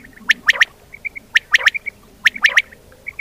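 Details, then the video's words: Common quail sound used as a lure for quail hunting and netting in Pakistan: it repeats its liquid three-note 'wet-my-lips' phrase about once a second, with faint high pips between phrases. "Batair ki awaz"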